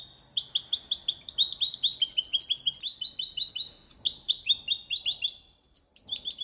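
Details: European goldfinch singing the copia Malaga training song: a dense, rapid stream of high twittering notes, many sharply down-slurred, running almost without pause in fast tinkling phrases.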